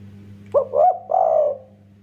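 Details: A spotted dove kept to spur other doves into calling gives a quick stuttering coo followed by a longer, mellow drawn-out coo, with a steady low hum behind.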